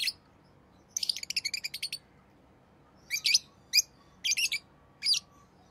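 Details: Rosy-faced lovebird giving a rapid rattling string of high chirps, followed after a pause by several shorter bursts of piercing, squeaky notes.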